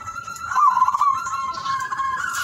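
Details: Zebra dove (perkutut) delivering a continuous rolled, buzzy coo that dips slightly then levels out, loud and unbroken for over two seconds, with soft background noise.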